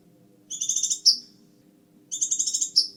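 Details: Scarlet minivet singing energetically: two shrill, buzzy stuttered phrases, each closed by a sharp rising note, separated by a short pause.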